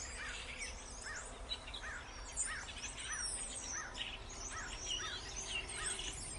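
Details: Starling song: a run of clear, arched whistled notes repeated about every 0.7 seconds over a dense, steady backdrop of high chirps and twitters from many other birds.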